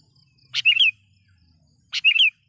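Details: Sooty-headed bulbul calling to challenge a rival, used to attract wild bulbuls: two brief bubbling whistled phrases less than two seconds apart, each opening with a sharp chip, with soft background hum.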